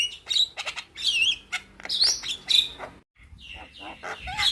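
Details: A young Javan myna sings a full, lively fill-in song, said to set other mynas answering: bright whistled notes and harsh chatters follow one another quickly, broken by a short pause near the end.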